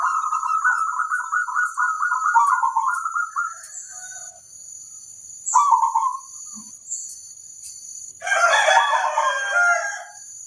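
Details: Local zebra dove in full song, used as a lure to draw other zebra doves into answering: a long run of rolling, trilled cooing, then two shorter coo phrases and a denser burst of overlapping cooing, over a steady thin high tone.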